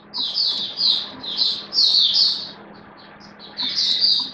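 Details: Caged oriental white-eye songbird giving soft, blurred high warbling phrases in clustered bursts with a brief pause, over steady low hum and faint room noise.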